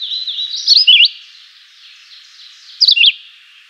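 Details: Simple, melodious chivi vireo song: a warbled whistled phrase with rapid up-and-down turns, then after a pause a second similar zigzag phrase, over soft continuous background hiss.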